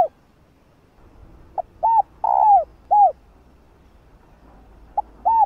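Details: A female spotted dove coos to spur males into calling. A full phrase of a short note, a rounded coo, a long downward-sliding coo and an arched coo, then the start of a next phrase near the end.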